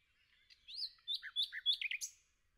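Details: A forest nightingale delivers a varied phrase of slurred whistles that swoop up and down, mixed with short buzzy notes and a few lower throaty chirps, each note brief and separated by tiny gaps.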